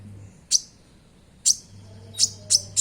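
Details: Konin singing in a lure track for caged birds: a few isolated, very high, piercing chirps spaced about a second apart, then quicker notes, with a faint steady hum behind.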